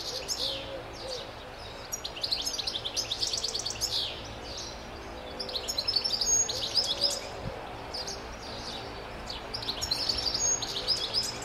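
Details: European goldfinch delivering lively twittering song in repeated bursts of high chirps and trills, about four notes a second, with short gaps between phrases and a faint constant hum behind.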